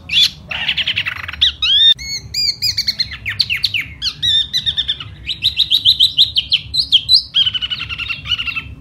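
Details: A springtime 'hót xoè' song by one silver-eared laughingthrush, with a rich jumble of whistled slurs and sharp chirps followed by rapid, rhythmic trilled phrases that continue steadily without pause.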